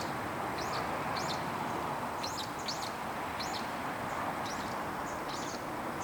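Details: In winter, brown-eared bulbuls high in a park tree call back and forth with one another in short, high, sharply arched notes, roughly one or two a second, over a steady roar of background traffic.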